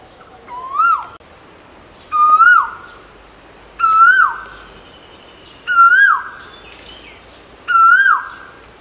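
An Asian koel gives five loud, clear whistled notes, each rising then dipping, spaced about two seconds apart over a soft background hiss.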